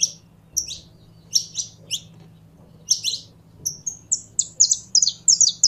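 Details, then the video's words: Saffron finch kept by a bird keeper, singing while getting fired up: spaced pairs of high downslurred chirps, then a faster run of clipped, tinkling notes toward the end. "Canário da Terra Esquentando em 3 2 1!!!"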